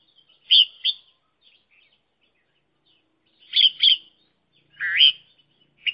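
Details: Red-whiskered bulbul used as a decoy bird for trapping, giving short bright chirped notes in pairs, then a rising slurred whistle, clean and clear with no other sounds.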